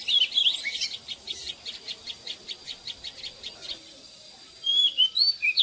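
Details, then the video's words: Oriental magpie-robin singing in the morning, used for training caged birds: a fast run of short, evenly spaced chirps, about two per second, then bright whistled, slurred notes near the end. "เสียงนกกางเขนบ้านหรือนกบินหลาขี้ควายใต้ Choè than Già rừng hót zbuooir sáng cực hay"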